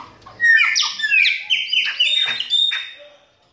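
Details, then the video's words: Chopi blackbird singing a loud, varied phrase of clear whistled and slurred notes, mostly rising and falling in a mid-high register, with short buzzy accents between the whistles over about three seconds. "PÁSSARO PRETO ESTRANHA A GRAVAÇÃO!"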